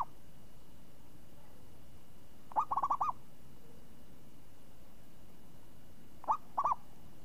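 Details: Zebra dove noted as a champion with a crisp, swinging voice. One phrase of five quick, bubbling coos is followed a few seconds later by a shorter two-part phrase, over a quiet low background.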